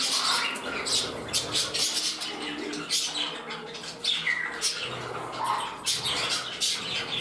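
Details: Budgerigars in a new home interacting, with a rival pushing back to its partner's side. Scratchy chatter gives way to clear short whistles and squeaky notes, and faint human voices can be heard in the room.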